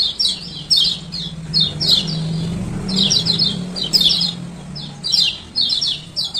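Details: Lemon-bellied white-eye male (kecial kuning lombok) giving lure 'ciak ciak' calls; separated bursts of sharp high chirps roughly every half second, over a steady low hum.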